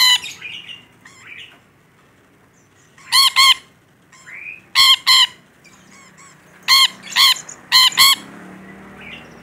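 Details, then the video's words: Rainbow lorikeet calling actively, giving paired and single harsh, harmonic screeches in bursts across several seconds, with brief softer chatter and short pauses between. "Suara Burung Nuri Pelangi Gacor"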